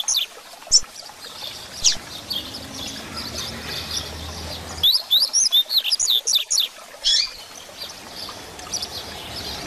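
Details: Double-collared seedeater in grego song, a recording meant to teach young birds: scattered single notes over hiss, then a fast burst of about a dozen sharp, up-and-down whistled notes, followed by a few isolated chips.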